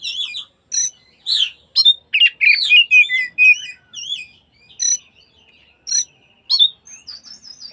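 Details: Oriental magpie-robin song for provoking rivals in the afternoon: repeated bright whistled and wavy phrases, about two per second at times, mixed with chirps and brief gaps.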